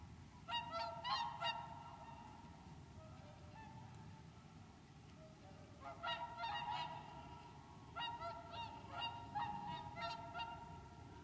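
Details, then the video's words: Wintering whooper swans on Lac du Der, France, 30 January 2014, trumpeting in three bursts of quick repeated honks separated by quiet spells, with low rumbling background noise. "Cygne chanteur ( Cygnus cygnus ) au Lac du Der en Champagne"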